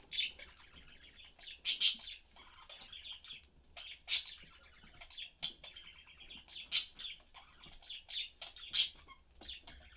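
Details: Pet budgerigars, a parent pair with their youngster, chatting and eating; steady warbling chatter with frequent sharp chirps and squeaks roughly every one to two seconds.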